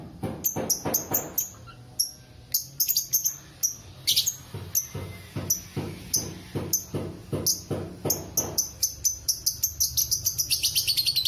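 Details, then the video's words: Lovebird ngekek, a long chattering song, used as a master recording to train or lure other lovebirds: a run of sharp, dry, stuttering notes repeated about four times a second, quickening into a dense rattle at the end. "Ngekeknya love bird"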